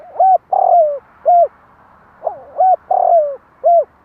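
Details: Spotted dove calling to stir up other doves and draw in wild ones: two matching phrases of low hollow coos, each a short note, a longer buzzy coo sliding down, then another short coo, with a pause between phrases.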